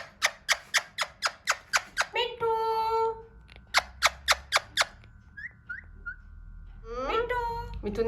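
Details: Alexandrine parakeet, hand-tame, trying to talk: steady rapid clicking squawks open, followed by a drawn-out nasal drone, more clicks, faint high chirps and a final whining squeal.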